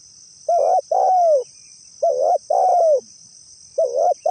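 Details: Spotted dove calling for a lure recording. Two full phrases come in quick succession, each a short wavering coo and a longer coo falling in pitch, and a third phrase begins at the end. A steady high whine continues in the background.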